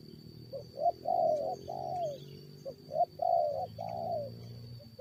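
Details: Spotted dove fight with wild birds during luring: a soft lead-in note, then mellow low coos rising to longer croo notes, heard in two phrases with a quiet background drone.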